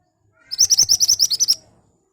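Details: Ashy tailorbird song used to lure birds into answering: a one-second string of about ten crisp, high, evenly spaced whistled notes, loud and clear.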